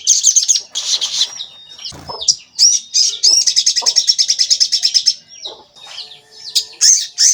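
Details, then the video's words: Javan kingfisher lure call meant to provoke and excite other birds into calling; loud, high, rapid rattling series of sharp repeated notes, a long even trill in the middle, with a brief low thump. "Pancingan Sogon Agar Bunyi dan Emosi"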